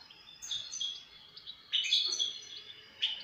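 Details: A European goldfinch gives quick high chirps and tinkling twitters in short bursts, with a faint background hiss throughout.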